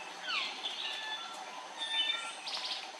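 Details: Andaman bulbul filmed close up on Andaman Island, India, in March 2020; sweeping, down-slurred chirps and short whistled notes, with a burst of quick bright notes near the end, over a steady background hiss.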